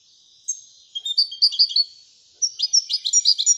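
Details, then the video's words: Moroccan European goldfinch singing in the Ouidani song style: two bursts of bright, high twittering notes, the second a fast run of sharp chirps and trills, separated by a brief pause. "الحسون المراكشي لغة الويدانية"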